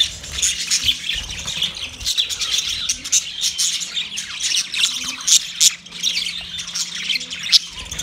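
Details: Budgerigar calling another budgie, continuous fast twittering and chirping chatter dotted with thin, piercing high notes and brief squawks.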